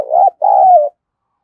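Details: Spotted dove coo meant to stimulate other doves, heard close: a short mellow note, brief gap, then a longer steady note that slowly drops in pitch.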